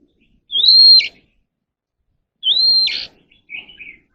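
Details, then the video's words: Oriental magpie-robin kept for song training gives two matching phrases, each a clear whistle rising then held level before a harsh buzzy ending, followed by a short soft twittering. "kacer alam | choè than luyện giọng || Choè than kích bổi ra giọng เสียงนกกางเขนบ้าน"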